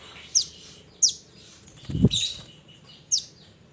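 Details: Mountain minivet calling its companions with high, sharp, falling chirps repeated in quick succession, interrupted midway by a brief low thump.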